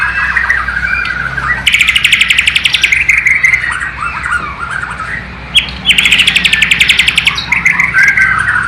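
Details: East Kalimantan white-rumped shama of the Borneo type, singing copied sikatan londo flycatcher and nightingale phrases; low-resolution camera. Two long, rapid, rattling trills separated by warbled whistles, each trill ending in varied chattering notes.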